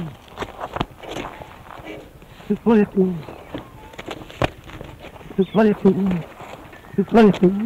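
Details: A captive male Australian musk duck in a pen gives low, gruff, speech-like phrases in three bursts a few seconds apart, likely mimicking his caretaker, then dashes about splashing, with thuds and clatter of water and movement.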